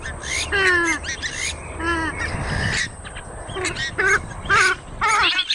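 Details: Oriental reed warbler giving a rapid series of harsh, grating, croaky notes mixed with short chattering and clicking bursts, the phrases changing in rhythm and growing choppier toward the end.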